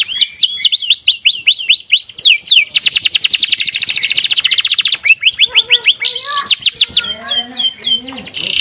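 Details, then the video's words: Canary song used as tutoring for canaries that have stopped singing: a run of repeated dipping whistles, then a dense rolling trill, followed by mixed chirps, rattles and lower warbled notes. "MASTERAN KENARI MACET MALAS BUNYI | CANARY SINGING"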